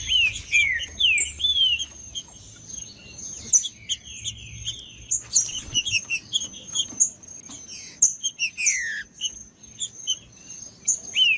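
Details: Green-winged saltator song in the macheando style, used to warm up other saltators and get them singing: loud slurred whistles that rise and fall, given in bursts among dense high chirps and a steady thin high whine.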